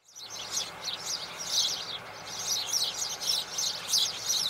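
Spanish sparrows chirping in a busy, overlapping chorus of bright, high chirps, steady throughout with no pauses.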